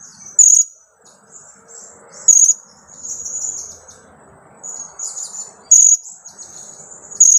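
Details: Lure bird, a blue-crowned hanging parrot chick of two weeks, repeating shrill high 'kiak' notes every one to two seconds over a constant thin twitter and a soft background hiss.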